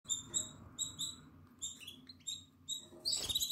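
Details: Nine-day-old Atlantic canary chick in the nest, eyes open and feathers coming in, recorded 14 April 2022: thin, high peeps in quick pairs and short runs, repeated through the clip over a low steady hum, with a soft rustling thump at the end.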